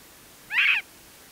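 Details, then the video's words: Scaled quail calling from a post near a trailhead in Embudito Canyon, Sandia Mountains foothills, Albuquerque, New Mexico, recorded with a shotgun microphone; a single short nasal, harmonic note lasting about a third of a second, with a quiet background. "Scaled Quail Calling on a Post"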